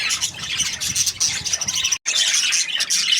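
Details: Happy budgie chirping: a dense, continuous stream of high scratchy chatter and squeaky warbles, briefly cut by a split-second silence near the two-second mark before the busy twittering resumes.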